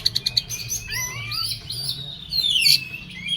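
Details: Oriental magpie-robin singing in an agitated, excited state: a quick run of sharp clicking notes, then varied high whistled and slurred phrases that rise and fall, ending in a loud harsh burst; faint low hum beneath.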